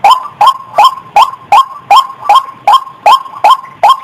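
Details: Female white-breasted waterhen call, used as a lure for trapping: loud, harsh croaking notes repeated in a fast, steady rhythm, about eleven in four seconds, each note rising briefly, with no other sounds.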